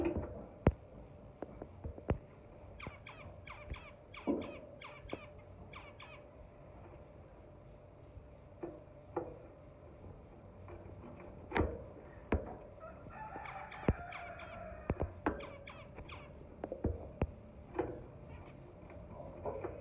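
Zebra finches give short, nasal, trumpet-like beeps in quick bursts among cage clicks and taps.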